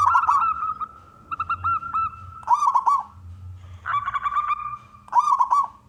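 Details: Local wild-type zebra dove, a frequent loud singer, heard singing to lure other doves into song; stuttering cooed trills interrupted by steady held tones, with a second overlapping phrase near the middle.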